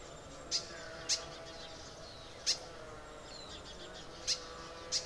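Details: Crimson sunbird in Arunachal Pradesh, giving sharp, very high, clicking tsip notes, five spread irregularly over about five seconds, against a steady low background hum.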